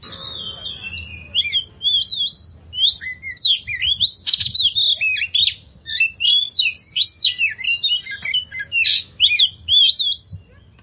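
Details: Oriental magpie-robin song used as a lure to get stressed birds singing: a fast, high, varied run of sweet whistles, slurs and chirps, loud and nearly continuous for about ten seconds, with a faint low hum beneath.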